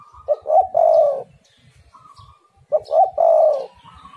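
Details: Spotted dove, played as a lure to make other doves call, gives two repeated coo phrases. Each has a short stuttered opening and a longer, even, low coo. Faint rumble sits beneath.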